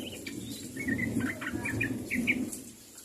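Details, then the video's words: Sooty-headed bulbul calling to companions, a brief run of short, bubbly, slurred chirps over a steady low rumble. "SUARA BURUNG TRUCUK MEMANGGIL KAWAN"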